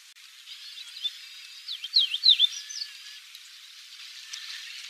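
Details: Chestnut bunting, a rare migrant on Yonaguni Island in April 2001, one of 5–6 males, females and juveniles perched on branches at a mountain foot, murmurs a quiet rambling subsong of soft high warbles with a few brighter slurred chirps.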